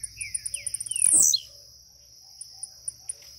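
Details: Waking caged Blue-black grassquit jumping as it sings a single quick buzzy downslurred note after a run of faint high ticks, set against a continuous thin whine.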